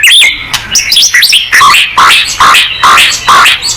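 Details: Loud, energetic white-rumped shama song used to provoke other birds into singing, with varied whistles and a run of rich, repeated, slurred notes about twice per second.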